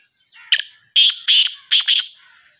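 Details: Loud, coarse call of a black francolin (kala teetar): a short lead note, then two harsh notes and a closing pair, all grating and buzzy. Soft bird chatter sits faintly beneath.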